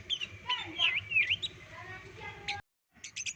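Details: White-legged Oriental magpie-robin from West Sumatra singing clear, high whistled phrases with rising and falling slurs over a low background hum; a brief silence, then a few more sharp high notes.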